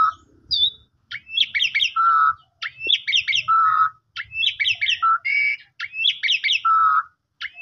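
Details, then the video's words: Lure song of the Asian pied starling for a sulking or stressed bird: bursts of tightly packed high chirps alternating with flat lower whistles, plus a few scattered squawk-like notes between phrases. "Pancingan Paling Cepat !! Jalak Suren Pundung Langsung Nyaut Gacor"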